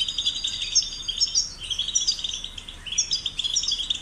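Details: European goldfinch chicks, caged, played to stimulate singing: dense high twittering with overlapping tinkling notes, short buzzy trills repeated in bursts, steady hiss behind.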